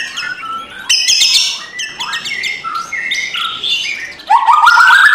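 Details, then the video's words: Varied white-rumped shama kretekan song meant to stir a lazy bird into singing in the morning: rapid mix of whistled slurs and harsh bursts, ending in a rising, strengthening whistled phrase. "MURAI BATU LANGSUNG NGEGASS KRETEKAN K4SAR SUARA RAME || Memancing emosi murai batu malas bunyi"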